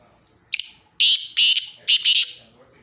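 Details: Black francolin calling in Khushab: a loud harsh rasping call of several buzzy bursts, the first short, then three grating notes in quick succession, with near silence around them.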